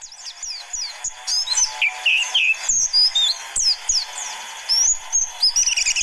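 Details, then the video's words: Young forest white-eyes are targeted with this lure song; scattered high chirps build into a dense run of short slurred whistles and buzzy notes, with several birds seemingly overlapping. "Pancingan Burung Pleci Di Jamin Langsung Panas Ngalas"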